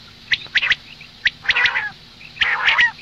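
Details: Morning calling of a female common quail: a few sharp ticks, then two longer, rasping, nasal squawks about a second apart.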